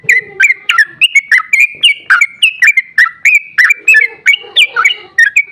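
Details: Long ropel song of an excited sooty-headed bulbul, meant to prompt other bulbuls to reply: fast chain of bright, bubbly whistled notes, steady and unbroken, with a softer lower warbling sound underneath at times.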